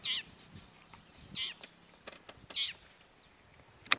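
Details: Long-tailed shrike (Lanius schach) calling in Saswad Grasslands, Pune, India, giving three harsh, grating bursts about every 1.25 seconds with a few sharp clicks between them.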